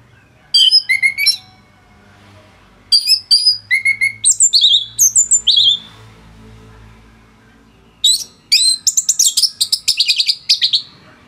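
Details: Orange-headed thrush in full, dense song, used to tutor other thrushes: bursts of bright whistled and sharply slurred notes, some falling steeply, in three phrase groups separated by pauses, the last a rapid chattering run; faint low hum beneath.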